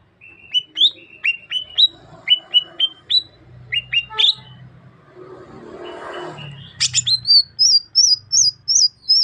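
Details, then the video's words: Greater green leafbird of the Sukamade type, Banyuwangi, East Java. Clear upslurred whistles repeat in pairs, then a stretch of rustling noise, then a run of very high, thin, rising whistled notes. "Suara Khas Cucak Ijo Sukamade ( Merubetiri )"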